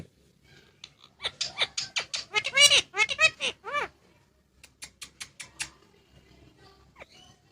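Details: Talking Indian ringneck parrot kept as a pet, producing a fast string of high, nasal, speech-like syllables rising and falling in pitch, then scattered clicks and a faint squeak in a quiet room.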